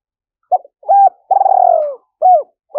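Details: Spotted dove of the local 'giọng thổ' voice type, used in the wild for luring: low hooting coos, a short note then a longer wavering drawn-out coo falling in pitch, followed by short paired notes; quiet background.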